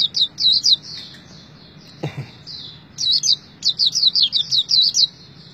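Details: High twittering white-eye song in short chattering phrases, broken by a single dull thump, then a denser stream of quick descending chirps.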